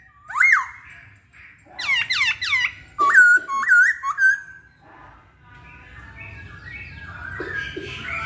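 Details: Masked laughingthrush singing: a rising whistle, a fast run of sharp downslurred notes, then paired looping whistles, before fading into a low murmur of background noise.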